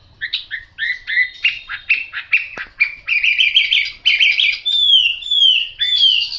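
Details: Chinese hwamei with yellow bill and legs singing a varied phrase sequence: paired short whistles, then a rapid trilled stretch, finishing with several long, clear, downslurred whistles.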